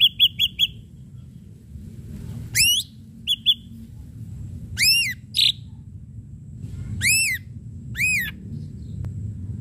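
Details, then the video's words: Ashy drongo in lively lure song meant to provoke sharp singing: quick bursts of short repeated whistles, then loud curving whistled sweeps with ringing overtones, separated by pauses over a low steady hum. "srigunting abu abu gacor PANCINGAN PUKULAN TAJAM"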